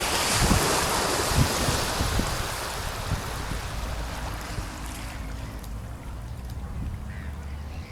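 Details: Wind rushes and surf breaks steadily at the shore, a dense roar of water and gusts that eases a little toward the end, with no animal voice standing out.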